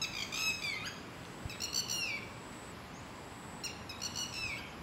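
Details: Red-wattled lapwing from a garden pair known to attack intruders who come near; harsh piercing notes in short bursts with downward slurs, fainter at times against a steady background hiss.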